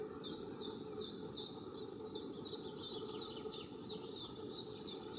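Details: A pair of long-tailed tits building a nest, gathering feathers for it, recorded from a distance: a run of about ten short high thin notes in a loose repeated series over steady low background noise.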